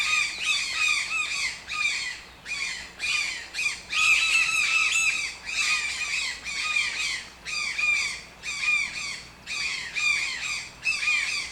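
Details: Toucan calling repeatedly with harsh, rattling squawks in clustered bursts of two or three, separated by short pauses, sustained over about eleven seconds.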